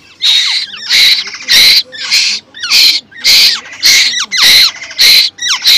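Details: A hungry young Asian koel raised by hand begs its keeper for food. Its harsh, hissing screeches come rapidly and steadily, about ten in six seconds, with a person's coaxing voice in between.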